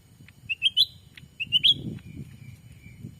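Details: Black-capped bulbul call used to attract wild birds in a Sumatran forest: two quick triplets of rising whistled chirps, then a faint trailing note, above a low rumble.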